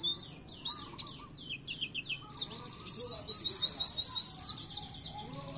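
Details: Oriental white-eye song from a masteran training recording for caged birds: scratchy high warbled phrases, then a loud, rhythmic string of sharp rising chirps repeated several times a second.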